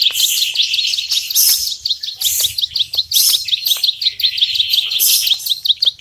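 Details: Bar-winged prinia, locally ciblek sawah, giving rapid high chipping in ngebren style, somewhat uneven, with strong higher hissing washes over the notes.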